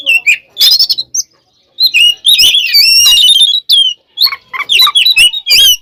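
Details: Oriental magpie-robin in loud, open fighting song meant to provoke other magpie-robins: rapid varied phrases of sharp whistles, rising and falling slurred notes and rasping bursts, with short pauses between phrases.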